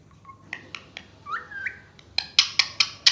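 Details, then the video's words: Pet talking parrot that is said to say mummy and papa. It gives short clicks and a pair of rising whistled notes, then a run of harsh, evenly spaced squawks. "देखो कैसे मम्मी पापा बोलता है हमारा मिठ्ठू! मम्मीपापा बोलता है ये तोता"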